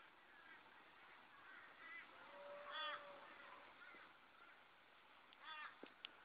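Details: Juvenile Australian magpies begging for food from a person give nasal, honking calls in short repeated bursts, with a low drawn-out note midway and a faint background hiss; 20 June 2012.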